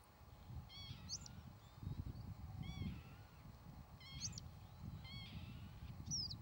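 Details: Northern lapwing uttering a series of wheezy, arched calls roughly every one to one and a half seconds, paired with sharp high squeaks, over gusty low-pitched wind.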